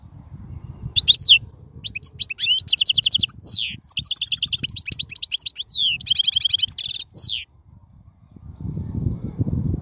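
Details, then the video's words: European goldfinch song from the wild: bursts of liquid twittering, quick high trills and buzzy drawn notes across several phrases, over a soft low background murmur that swells at the end. "من أقوى اغاني | طائر الحسون | البرية"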